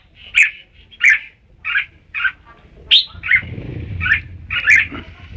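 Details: Red-whiskered bulbul, recorded at Ban Song, giving short bright chirped phrases around a regular beat, about eight notes in five seconds, with low rumbling background noise in the second half.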